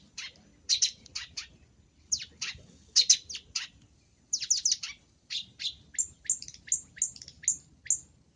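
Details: Long-tailed shrike in active, full fill-in song on a training recording: a rapid, varied chatter of clipped scratchy notes in quick clusters, ending in a run of short, evenly spaced sharp chips.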